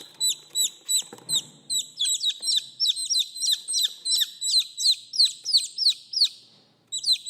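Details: Chicks crying for the hen: a busy chorus of piercing, downward-sliding peeps that overlap and speed up, then a short pause before the calling resumes.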